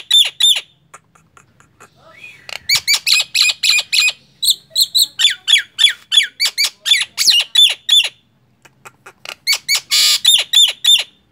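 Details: Nias hill myna singing energetically: rapid runs of harsh, squawky repeated notes, several per second, with a brief break and a burst of rough noise near the end.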